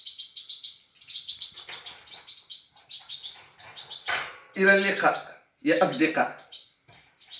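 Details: Fed goldfinch chicks chirp continuously in shrill, rapid tweets while a man speaks briefly in the middle of the recording.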